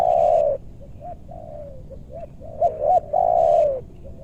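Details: Spotted dove calls used to lure wild doves down in western Bogor meranti forest. A strong falling coo is followed by faint answering coos, then two quick rising notes and another long coo.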